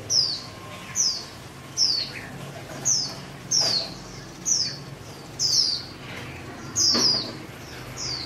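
A nightingale gives sharp, high, downslurred chirps, roughly one a second, over a soft low background hum.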